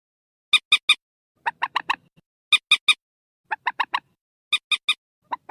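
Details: Purple swamphen squealing call used as a night-time netting lure, October 2024: clipped, nasal harmonic notes in tight triplets and quartets, each burst about a second apart, with silence between.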